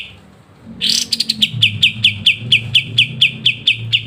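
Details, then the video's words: Lively kapas tembak with crisp ngebren song for songbird training: a harsh rasping opening burst, then a steady series of sharp high chips about four per second over low background hum. "KAPAS TEMBAK GACOR NGEBREN RENYAH"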